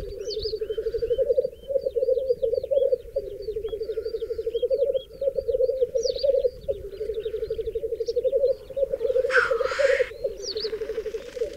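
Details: Black grouse males at a long-known lek in the centre of a vast raised bog in the Berezinsky Biosphere Reserve, with females gathered near one male: continuous low rolling bubbling in pulsed phrases, plus higher chirps and a brief hissing burst near the end.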